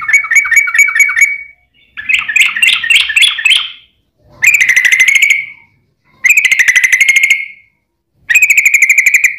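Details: Sooty-headed bulbul recording used as a lure for other bulbuls: repeated phrases of scratchy rattled notes and harsh buzzing trills, each lasting one to two seconds and separated by brief gaps.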